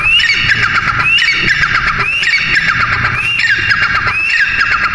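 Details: Partridge, teetar, giving loud harsh squawking calls, each starting with a short rising note and breaking into a rapid rattling series, repeated about every second and a half over steady low background noise.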